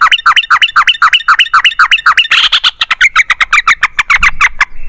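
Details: Ropel panjang of a yellow-vented bulbul, a long rapid trill used to make other bulbuls answer: fast, evenly spaced chirping notes in a continuous run, briefly harsher in the middle.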